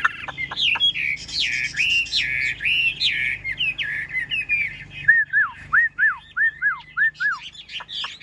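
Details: Yellow-billed Chinese hwamei kept as a cage bird, feathers still damp, delivers a rich varied song of looping whistles, followed by a run of about eight clear falling notes repeated roughly twice a second.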